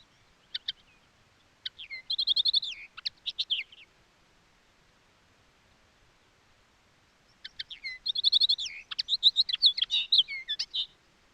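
A finch gives two bursts of quick, high chirps and twittering notes, the first about two seconds long and the second about four, with a pause between.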